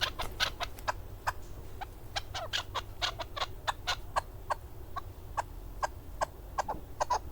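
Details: Male hunting chukar partridge (keklik) from Darvoz district, Tajikistan, 2020: a steady run of short, sharp chuk notes, several each second, over low background rumble.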